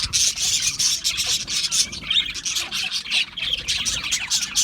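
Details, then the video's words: Crowd of Australian parrots producing a loud, dense chorus of high, hissy chirps and chatter, pulsing in quick bursts with hardly a break. "Beautiful Australian Parrots Chirping sounds beautiful Parrots Sounds"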